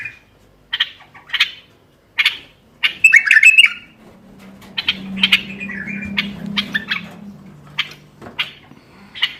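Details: Bulbul song used to encourage other bulbuls to sing: separate bright chirps spaced about half a second apart, a mid-song warbled burst, and a faint low hum underneath.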